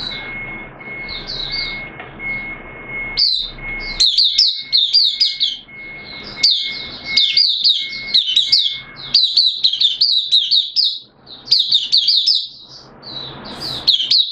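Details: Caged white-eye in full song on 13 September 2022, day two of a monthly deworming treatment: long runs of fast, high, sweet twittering notes broken by brief gaps, with a faint steady hum at first.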